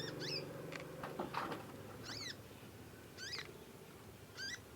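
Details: Young conin practising its song, recorded as a master track. Three or four ringing, curved chirps sound roughly once a second after an opening burst of hum and muffled noise.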